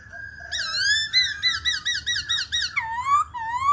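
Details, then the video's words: Black-throated laughingthrush singing a rich, fluty phrase of about eight quick wavering notes, then sweeping rising whistles; close and clear, no other sounds. "KHƯỚU BẠC MÁ HÓT"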